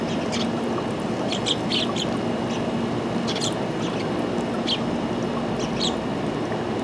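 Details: Sparrow giving short, high chirps in loose clusters, some doubled, scattered through the recording over a constant loud low rumble like traffic or machinery.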